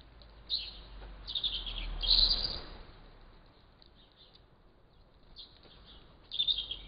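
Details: Great tits in the morning, recorded by a trail camera, giving thin, high, sibilant calls in irregular short bursts over a low background rumble.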